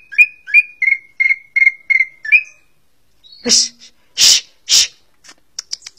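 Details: Cucak ijo, or greater green leafbird, a contest songbird with a varied song. Seven evenly repeated slurred chirps are followed by loud harsh rasping notes and scattered clicks.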